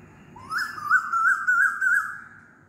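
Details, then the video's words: Asian koel calling loudly, a clear whistled note that starts low, jumps up, then holds a wobbling, slightly rising pitch for about one and a half seconds before dying away. "LOUD KOYAL CALLING"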